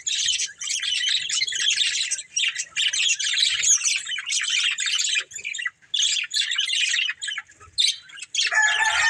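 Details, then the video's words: A breeding pair of budgerigars in long, unbroken stretches of high, raspy chatter and chirps, ending in a harsher, lower squawking burst. "Beautiful Budgies Chirping Sounds"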